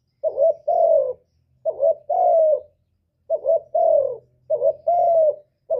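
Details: 'Cu gù' cooing of a spotted dove, used for trapping and to stir caged birds. Four low phrases, each a short wobbling note followed by a sustained, slightly descending hoot, repeated at a steady, unhurried pace.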